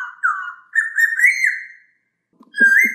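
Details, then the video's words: Masked laughingthrush singing clearly, used as a training recording for other birds: a run of connected, mellow whistled notes that rise gently and waver. A short gap and a faint low knock come before another rising whistle. "MASTERAN AMPUH; SUARA POKSAY HONGKONG JERNIH"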